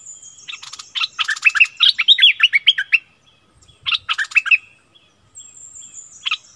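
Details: Decoy streak-eared bulbul pouring out a dense burst of chattering, slurred whistled notes, pausing, then giving two shorter bursts of the same bubbly chirping.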